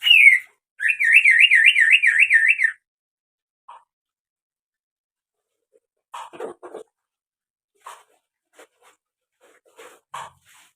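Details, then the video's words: Greater green leafbird giving a strange sound: a loud trilling whistle that wavers rapidly up and down for about two seconds, followed by scattered soft clicks and taps. "SUARA ANEH BURUNG CUCAK HIJAU"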